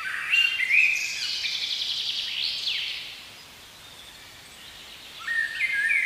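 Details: Common blackbird song in a spring forest: short fluty whistled phrases open and close the passage, with a thin, high twittering of other small birds between them in quiet woodland.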